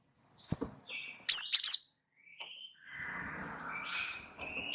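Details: Java sparrow known locally as gelatik wingko, singing actively as a tutor and trigger recording: a pair of loud, high ringing chirps, soft short whistles at lower pitch, and a faint swelling warble before a final sharp note.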